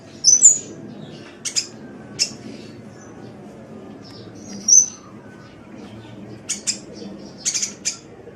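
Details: Sunbird masteran recording from Indonesia: two bright high whistled slurs separated by scattered sharp clicks and chips, ending in a cluster of rapid high ticks, with soft background hiss.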